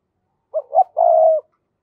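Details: Decoy spotted dove calling to provoke wild doves: two short rising notes followed by a longer, steady, slightly falling coo, all low and mellow, in a quiet setting.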